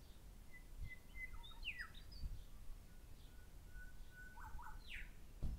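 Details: A pair of grey shrike-thrushes calling: long level whistles, sharp downward-sweeping notes and short doubled whistles, clear over a quiet background with faint low rumble.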